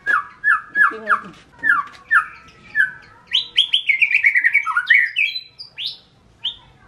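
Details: White-rumped shama singing: a run of clear downslurred whistles repeated about every half second, then a quicker, varied stretch of rising and falling whistled phrases with sharp high accents.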